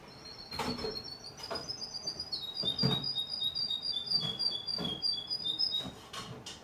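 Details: Young male Russian canary singing in the evening: a continuous run of high, rapid trilled and whistled notes, shifting slightly in pitch, broken by soft clicks and knocks, likely from the cage.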